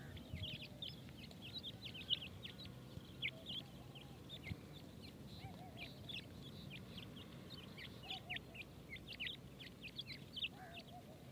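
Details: Teetar, or grey francolin, chicks feeding: continuous, overlapping high peeps and chirps from several chicks, with a few lower soft notes mixed in, over persistent low background noise.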